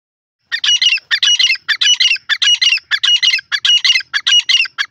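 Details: Grey francolin (desi teetar) calling: loud, harsh, squawking notes in a fast run, grouped in tight bursts of two or three about every half second for over four seconds, with no other sounds.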